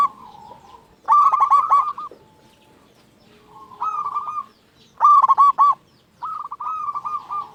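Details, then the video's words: Local zebra dove singing vigorously, used as a lure to make other zebra doves sing: bursts of rapid, stuttering coo notes alternating with softer, drawn-out rolling phrases, the loud bursts recurring about every four seconds. "Perkutut Lokal Gacor Suara Paling Ampuh Untuk Pancingan Burung Perkutut Agar Bunyi"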